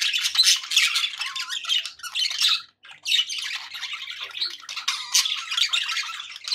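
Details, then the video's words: Happy budgies in a small room keep up a steady stream of raspy warbles, clicks and squeaky chirps, loud bursts with one short silence just before the three-second mark, no other sounds. "happy budgie sounds"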